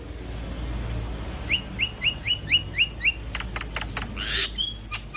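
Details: Master song of a Javan myna for training young birds: seven short, downslurred whistled notes spaced about a third of a second apart, then dry clicks and a brief harsh burst.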